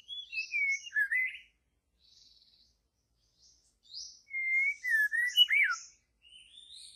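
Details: White-rumped shama, wild, in deep forest, singing fluty descending whistles and short warbled slurs in two bursts separated by a quiet pause.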